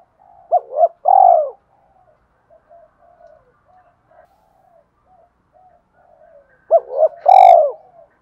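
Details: Two spaced coo phrases from a spotted dove, used to rile other doves: short double hoot and a long falling note, with a sharp brief click over the second and faint soft coos between.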